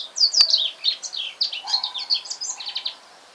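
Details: Male black-throated canary singing at home soon after purchase: a dense run of quick high warbled notes and slurs, with a brief click and a faint low tone beneath.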